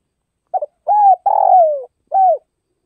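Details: Spotted dove from northwestern Vietnam giving one soft cooing phrase: a short clipped note, a smooth arched coo, a longer trembling coo sliding downward, then a final arched coo, in a quiet setting.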